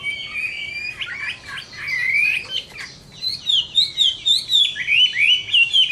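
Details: Chinese hwamei in a summer midday fighting song: loud varied whistled phrases, sliding and looping, quickening into a fast run of repeated rising-falling notes near the end.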